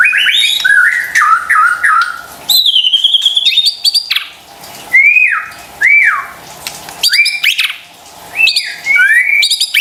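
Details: White-rumped shama song used as a lure to stir stressed or silent birds into singing: loud clear whistled phrases, a run of falling slurred notes, a long sustained whistle, then repeated downslurred whistles and bright rising notes.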